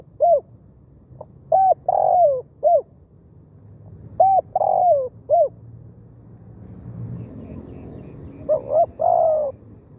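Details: Thai decoy spotted dove luring wild doves toward a leg-snare trap, cooing in low, rounded phrases of four to five notes with a longer falling note inside. Three phrases are heard, with faint murmuring in the background near the end.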